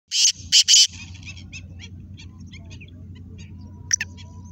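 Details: Black francolin (Kala Teetar) calling: three loud, harsh, high notes within the first second, one short then two longer, followed by faint rapid ticking, a few brief chirps and a low background rumble.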